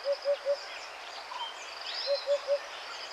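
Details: Sri Lankan junglefowl on safari at Wilpattu, Sri Lanka, gives two quick bursts of three short, hollow mid-pitched notes, about two seconds apart, over a steady high insect hum.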